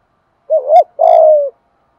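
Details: Spotted dove, thổ voice style, cooing to train decoy birds and provoke wild ones. A two-part phrase: a rising hooked coo, then a long, level, slightly throbbing coo that fades downward.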